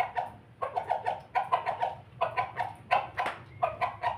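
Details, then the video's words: Pelung rooster at its food, uttering a laughing crow of loud, rhythmic chuckles in clustered runs of three to four notes, each run quickly following the last. "ayam pelung jago ketawa berkokok"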